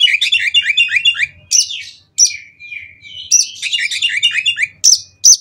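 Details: Oriental magpie-robin, a kacer, singing a varied konslet-style song used to provoke other kacer into singing; rapid series of bright descending chirps and sharp whistled notes between 2k and 8k, with brief pauses and a few loud high upslurred notes.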